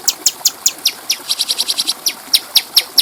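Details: Clear-voiced stripe-throated bulbul (cucak cungkok) training song for tutoring other birds, a sustained run of sharp high chip notes, some slurring downward, repeated several times a second with a faster rattling middle stretch.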